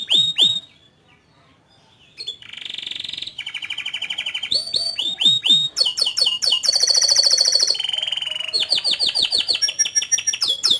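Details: Canary delivering a long, lively song: rapid repeated chirps, buzzy trills and rolling phrases around high pitch, sharp downward-sweeping notes, a brief pause near the start, then dense fast trills building toward the end.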